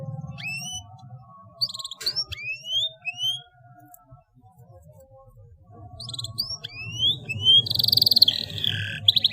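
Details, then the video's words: Canary tutor song for young birds, heard more quietly: a few separate rising whistles, then a gap, before the song resumes with quick buzzy trills near the end. A low background hum runs throughout. "KENARI GACOR SUARA PANJANG SYAHDU MASTERAN PAUD"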